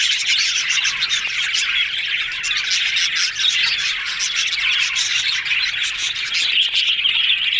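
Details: Yellow budgies chattering happily together: a steady, buzzy warble of many overlapping voices, with short chirps and clicks throughout and no silent gaps.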